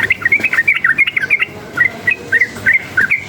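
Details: Sooty-headed bulbul said to be stirred up by surrounding noise, singing hard: a rapid run of short bright whistled notes, rising and dipping, delivered about three per second in loose bursts, with low background rumble.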